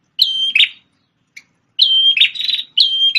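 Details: Energetic song of a red-headed prinia that served as a tutor bird for a white-rumped shama: repeated phrases of a bright sustained whistle breaking into rapid buzzy twittering, with one short chip between phrases.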